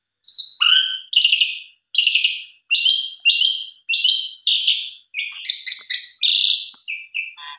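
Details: Jalak suren (Asian pied starling) lure recording rich in mimicked material: a steady series of short, loud, squawky chattering notes, about two each second, then quicker mixed notes at the end.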